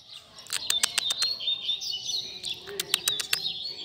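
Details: Coleiro tutor song for teaching young birds: thin, high sustained whistles and quick twitters, interrupted by loud rapid clicking taps in two bursts.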